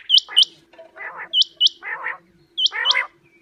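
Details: Female common quail, recorded as a lure for quail hunting and netting. High, sharply hooked whistled notes come in pairs. Each pair alternates with lower, grating, buzzy phrases, and the pattern repeats about three times.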